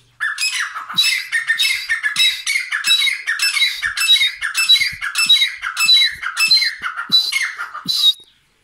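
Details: White francolin, known locally as Irani or safeed teetar, giving a loud, harsh, grating series of squawking notes, each repeated roughly every half second without pause for about eight seconds, with faint low knocks underneath.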